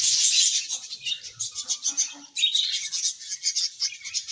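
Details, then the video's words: A happy colony of budgerigars: continuous high-pitched twittering and scratchy warbles, pulsing in quick bursts, briefly dipping then returning loud. "Budgies Happy Colony Chirping Sounds"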